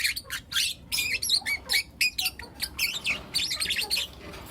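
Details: Four juvenile lutino lovebirds in the morning give rapid, buzzy squawking chirps, about three to four bursts per second, some with short rising and falling notes, over a low hum.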